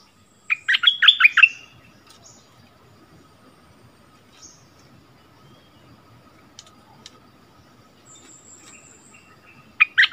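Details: Decoy bulbul brought back to its old haunt, dueling in song with a new resident territory holder, 3 February 2021: a burst of fast, bright, warbled notes early on, then quiet with a faint steady hum, and another phrase at the very end.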